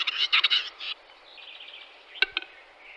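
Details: Western capercaillie recorded in March 2022: a burst of loud, scratchy, grinding notes in the first second, a long quieter rasping stretch, then two sharp dry clicks near the end.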